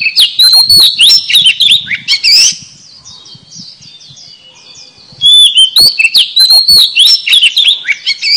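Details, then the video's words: Oriental magpie-robin song used as a lure for catching birds: two energetic bursts of fast, varied whistles with sharp chips and scratchy notes, split by a short quieter interval. "PIKAT KACER SUARA PANCINGANNYA AMPUH.!!!"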